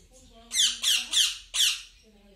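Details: Cockatiel chicks begging during hand feeding indoors: four loud, harsh, rasping bursts, each about a quarter second long, given in quick succession, with faint tonal background sounds between them.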